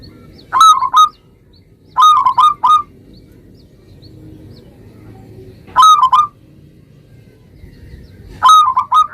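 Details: Local zebra dove singing steadily, played to trigger other zebra doves to answer: four loud, clear three-note cooing phrases at irregular intervals of two to four seconds, with quiet background hum between them.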